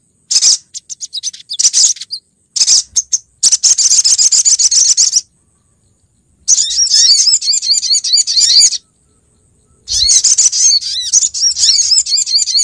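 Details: Female sunbird, sogok ontong, calling males as a lure, Pronojiwo, Lumajang: rapid, high trilled twittering in long runs of several seconds, broken by short silences.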